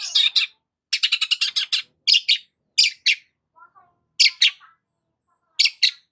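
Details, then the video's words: A long-tailed shrike sings harsh, scratchy bursts of high chattering notes in quick clusters with short pauses and a few softer, lower notes between. "BURUNG CENDET GACOR"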